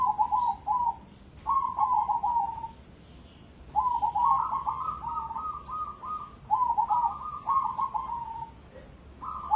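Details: ['Zebra dove, cemani type, competition grade, delivering a run of bubbling, stuttered cooing phrases, some longer with stepped rolling notes, separated by short pauses; the background is otherwise quiet.']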